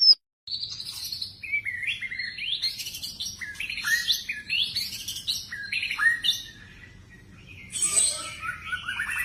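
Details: White-rumped shama song used as a lure to trigger singing: a varied stream of whistled and chattering phrases, rising and falling notes in quick succession, with a brief pause before a final burst.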